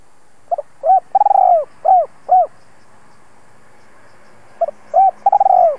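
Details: Decoy spotted dove calling to bring wild birds to the lure. A full phrase of a short double note, a coo, a long quavering coo and two soft falling coos. After about two seconds a second phrase begins.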